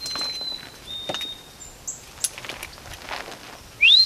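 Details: White-throated Sparrow returned for the winter, singing during cold, wet, very windy camping with a little snow; long, pure, steady whistled notes, the second slightly lower, then a higher whistle, amid rustling and footsteps.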